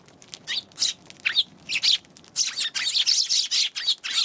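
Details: Eurasian tree sparrow calling on 11 January, scattered chirps at first building to a fast, busy run of scratchy twittering notes.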